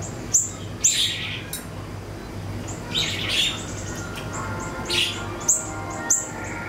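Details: Ashy tailorbird, called siri-siri, in a lure recording meant to provoke kept songbirds into replying: sparse groups of piercing high chirps and clicks, with gaps of quiet hum and a faint high pulsing tone.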